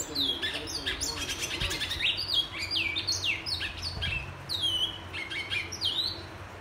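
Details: Whistling song of a black-and-white seedeater (bicudo, twa twa, pico plata de negro), recorded 21 February 2022: rapid strings of downslurred and upswept clear notes, tumbling without pause over a faint low background hum.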